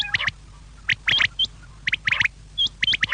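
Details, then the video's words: Quail voice for the evening, played to attract quail: crisp short notes in pairs and triplets, a few thin higher whistled notes between them, spaced bursts with quiet gaps. "شام کیلئے بٹیر کی صاف آواز"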